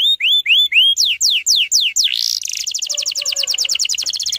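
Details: Canary song used as a lure to bring young canaries quickly into full song, in a tight rapid-fire style: rising whistled upslurs, then steep descending sweeps, then a fast dense high trill.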